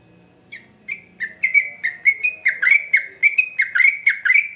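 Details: Yellow-vented bulbul in long rolling song: a few soft opening notes that quickly build into a loud, fast, continuous stream of bubbly slurred whistles.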